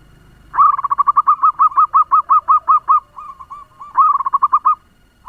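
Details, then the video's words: Fast-singing local zebra dove kept as a lure for other doves gives a quick string of about twelve bouncy, rising-falling coos, a few softer notes, then a second short burst. "Perkutut lokal pemikat suara ngebut‼️Bikin perkutut lain ribut"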